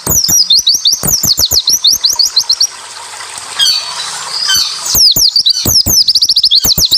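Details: Tutor recording of a Japanese white-eye singing dense tembakan-style song to provoke reluctant white-eyes; long chains of shrill, high, downward-slurred notes, a short noisy break midway, then the fast chattering series resumes.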